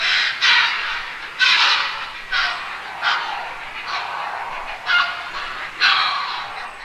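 Grey heron giving harsh, hoarse croaks and squawks, roughly one a second at an uneven pace, over a faint steady hiss.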